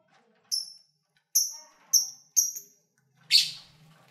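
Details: Pet lovebirds in February 2019, eating and playing, give four short thin high whistled notes roughly half a second apart, then one louder raspy chirp, over a faint low hum.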